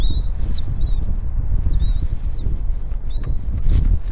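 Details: Feeding time at a bald eagle nest, mother with chicks: thin, rising whistled calls, one long and several shorter, spaced over a few seconds against rumbling wind.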